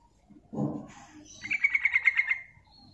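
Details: Female yellow-vented bulbul calling, used as a lure to draw other birds: a low rough burst, then a fast run of about eight bubbly chattering notes.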